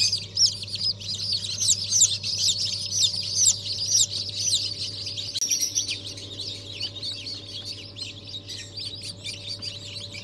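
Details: A crowd of newly hatched ornamental chicks, first hatch of 2023 on 14 January, peeping loudly and continuously, high, rapid chirps overlapping at more than two per second, with a steady low hum in the background.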